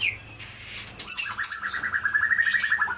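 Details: Aceh Leuser white-rumped shama, wild-caught as a juvenile in 2016 and known as a strong mimic with fighting spirit, opens with a high note, then pours out a long rapid trill of evenly spaced ringing notes.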